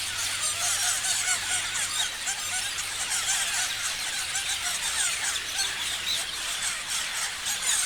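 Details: Continuous chirping from many parrots, thin high squeals and twitters layered into an even, dense chorus throughout.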